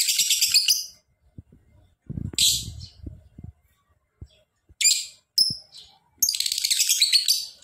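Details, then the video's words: Lovebird alternating short chattering trill bursts with sharp squeaky chirps, the trills repeated several times with gaps; low rumbling noise and knocks in between. "Lovebird Gacor!!! Ngekek panjang"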